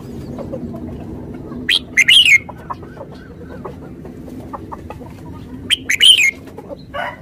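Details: Red-whiskered bulbul repeating a short lively whistled phrase twice, about four seconds apart, each a quick jumble of rising and falling notes; scattered faint clicks and a steady low rumble fill the gaps.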